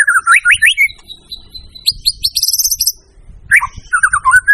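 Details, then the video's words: White-rumped shama song from a caged bird: rapid rising whistled notes, a sustained thin high tone, then a burst of quick high chips and chattering, closing with looping mid-pitched whistles. "suara burung murai"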